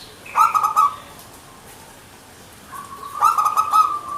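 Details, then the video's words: Perkutut, the local zebra dove, singing manggung style: a quick trilling coo burst, a quiet pause, then a held tone that breaks into another string of fast pulsed coos. "PERKUTUT MANGGUNG GACOR GAYER 100% suara burung Lokal"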